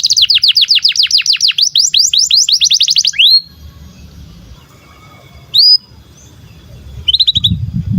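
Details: Canary song opening with a fast run of high, sharply rising notes for about three seconds, then a near-silent pause broken by a few isolated whistled notes and a brief final trill.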